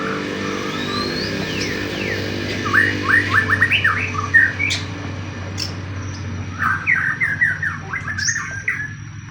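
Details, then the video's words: White-rumped shama, a fighting-type bird, in song used as bait to provoke other shamas into singing: bursts of quick rising and falling whistled notes over a steady low hum, with sharper high notes scattered between. "pancingan murai pastol tarung murai apapun akan ikut bunyi"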